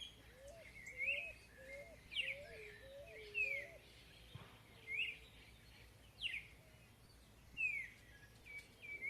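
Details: Chalk-browed mockingbird in a natural rural setting: high, sharp downslurred whistles repeated every second or two, alongside a lower series of soft whistled notes, over faint steady background noise.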